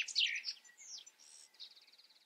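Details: A European goldfinch gives a jumble of scratchy twitters and a drawn-out high whistle, then a rapid, rattling trill.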